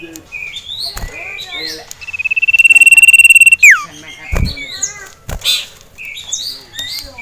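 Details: Caged male ashy tailorbird agitated at the sight of a rival male and a female: high chattering notes, then a long steady whistled trill about a second and a half, ending in a sharp downward slur, followed by more scattered chirps.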